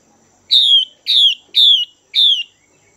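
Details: Female Chinese hwamei, a top-grade caged hen kept to stimulate and excite males, giving four clear downslurred whistled notes, each about a third of a second, spaced roughly half a second apart, over a quiet background.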